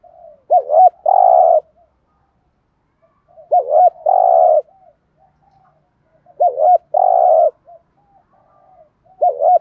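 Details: Spotted dove repeating its 'thúc gù' urging coo, meant to stir captive decoy doves into cooing: three full phrases about every three seconds, each a wavy double note then a long, rolled coo, with a fourth beginning.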